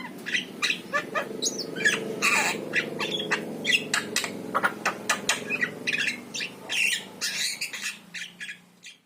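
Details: Javan myna (jalak kebo mata kuning) song, used to lure a kept myna into singing. Quick bursts of scratchy squawks, clicks and harsh chirps in uneven sequence, with a faint low drone underneath, fading at the end.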